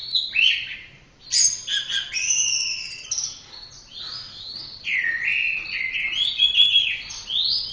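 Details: Orange-headed thrush song made for training other birds: varied whistled phrases with sliding notes and quick rising and falling figures, broken by short pauses, with faint low hum beneath.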